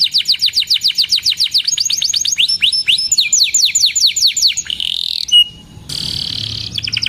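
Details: Canary song: fast runs of bright, high downward-sweeping chirps repeated in quick trills, shifting between several rhythms, then a sustained buzzy whistled note and a rolling trill near the end.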